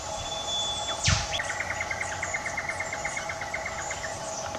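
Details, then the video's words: Australian whipbird in bush undergrowth, calling to its mate: a long thin held whistle, then a sharp whip-crack sweep, answered at once by a rapid run of repeated chipping notes lasting about three seconds; steady insect hum behind. "WHIPBIRDS - 'Cracking the Whip'"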